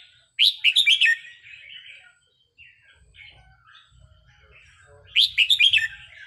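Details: Red-whiskered bulbul song for training: a loud burst of quick, bright warbling notes, then softer chatter and a pause, and a second rapid warbled phrase; faint low murmur in the background.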